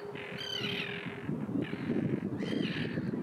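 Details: Common tern from Russia giving two harsh, grating calls with a slight downward slur, about two seconds apart, over a steady low rumble of background noise.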